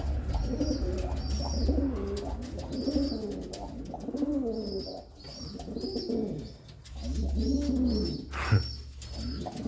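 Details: Female pigeon, kept without a mate for a long time, reunited with her former mate and said to be very happy; low, rolling coos rise and fall in repeated bouts over a steady low hum and a faint high whine.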